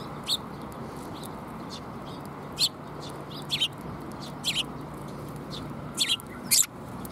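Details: Sparrows at a Tenmangu shrine in May, arriving to be fed. Sparse, sharp high chirps come singly or in quick pairs every second or two over a steady low rumble.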